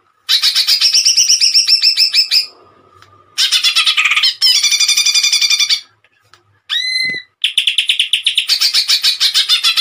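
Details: Greater green leafbird in energetic gacor song with tembakan bursts, used for tutoring and therapy of kept leafbirds: loud rapid buzzy trills, then a brief pause, varied harsh phrases, rising whistled notes near seven seconds, and fast rattling trills.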